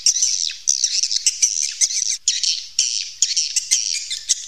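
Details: Swiftlets recorded in a cave, as a natural swiftlet call, give dense, rapid twittering and buzzy chatter, a continuous high chorus with sharp clicks and overlapping calls from many birds.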